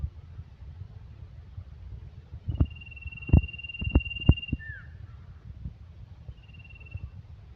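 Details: Male common iora gives a long, level, high whistle ending in a quick falling note, then a fainter shorter whistle later, with dull knocking sounds underneath.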